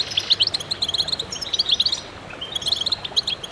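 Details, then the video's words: Several goldfinches sing in concert to stimulate birds, producing bursts of high, liquid twittering and quick chirps that pause briefly in the middle before resuming. "voices a chorus of goldfinches in concert to stimulate birds"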